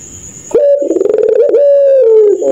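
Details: A puter pelung dove at night launches abruptly into a laughing coo. A throbbing pulsed stretch gives way to a smooth, long note that eases lower toward the end. A thin high-pitched whine lingers behind it.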